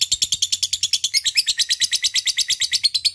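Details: Lovebird giving a long ngekek chatter to lure and answer a rival: rapid harsh high notes repeated about seven times a second without a break, rasping and metallic, with faint low rhythmic tapping underneath.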